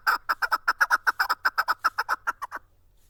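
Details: Chukar partridge kept in a cage, calling a quick series of harsh clucking chuck notes, roughly fifteen in two and a half seconds, fading at the end into silence.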